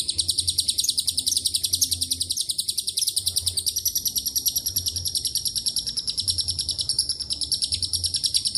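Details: Long lovebird ngekek carrying cililin and canary phrases: dense high chattering, a few sharper accents in the first half, then a smooth rapid stream of pulses to the end.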